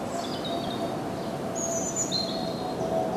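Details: European robin perched for a while in the Kennemerduinen dunes at Heemskerk, cheerfully whistling: thin, high, drawn-out whistled phrases separated by pauses, over a steady low hum and background noise.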